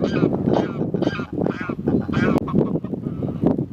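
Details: Pink-footed geese at RSPB Snettisham, Norfolk, in March, among other geese; loud, harsh, nasal honks repeated rapidly, roughly two or three per second, overlapping in a dense chorus.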